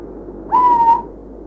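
A little owl gives a single clear, whistled note, swelling slightly upward and then held level for about half a second, over faint low background hiss.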